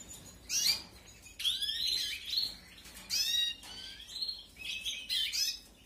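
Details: Aviary-bred canary chicks at feeding time, 2021 breeding season: loud bursts of shrill, rapid cheeping come about once a second, each burst a cluster of high, sweeping notes, with short quiet gaps between them.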